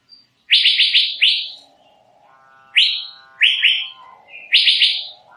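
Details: Asian fairy-bluebird producing rapid runs of four bright rising whistles, interspersed with single and paired notes, with a lower steady harmonic tone in the gaps.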